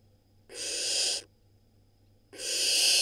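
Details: Young barn owl in a nest in Israel, 2022, eating a rodent: two breathy, snoring hisses, each under a second, roughly two seconds apart, with near silence between.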